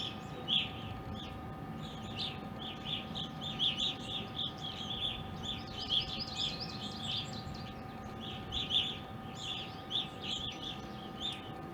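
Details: Evening grosbeaks, several birds visiting a backyard in Ohio since winter 2020 and still present in April 2021: a busy chorus of short, clear chirping calls overlapping continuously, with a faint steady hum beneath.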